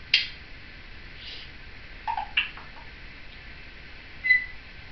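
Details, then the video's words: Seven-year-old female Timneh African grey parrot chattering indoors with her caregiver: a sharp high note opens, two brief mid-pitched chatter notes follow around two seconds, then a short clear whistle near the end in a quiet room. "Cleo the Timneh African Grey Parrot chattering along with me"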